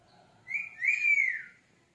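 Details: Male Indian ringneck parrot making a clear whistle, a short note followed by a longer rise-and-fall phrase, in a quiet indoor room.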